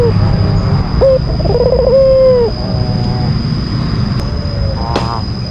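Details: White albino Barbary dove, a kept bird, giving a rival-provoking call: one clear coo of short note, trill and long falling tone, followed by a much fainter echoing call and a brief click.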